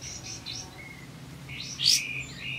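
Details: Brief olive-backed white-eye phrase, used to stir other white-eyes into song: a few thin, high whistled notes then one loud, sharp, buzzy chirp, above a soft background hum.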